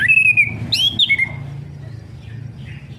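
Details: Orange-headed thrush song for stimulating a silent bird: a clear descending whistle followed by a quick high rising note and a falling slur, then fading soft notes over a steady low hum.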